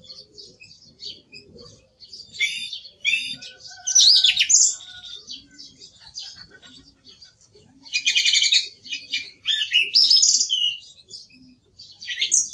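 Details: Song thrush in song: varied bursts of repeated, rattling notes and clear whistles, each phrase delivered in quick succession with short gaps between.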